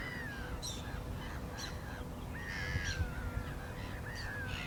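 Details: Black-winged stilt uttering long, falling nasal yelps alternating with short sharp notes at a brisk pace, with steady low background noise throughout.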